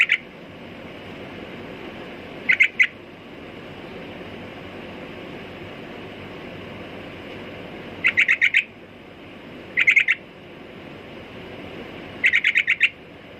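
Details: Sooty-headed bulbul repeating brief bursts of rapid, rattling chirps every few seconds, each burst under a second long, with quiet hiss between.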